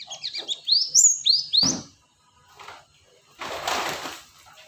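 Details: Series of quick, high, upward-sweeping chirps from a cinereous tit lure recording, followed by a loud rustling burst of noise.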